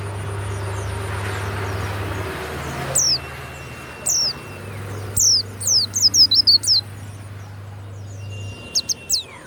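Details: Caged warbling white-eye kept by a songbird hobbyist, prized for a loud, open voice, giving scattered high, thin, sharply descending whistled notes that build into a quicker burst of about ten notes, with steady low hum behind.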